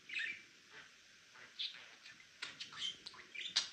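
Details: Pet male budgerigar giving soft, scattered high chirps and squeaky twitters, with quiet pauses between and a sharper cluster of notes in the last second.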